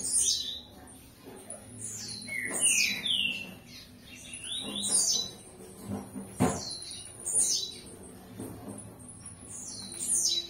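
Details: Blue-black grassquit (Volatinia jacarina), song.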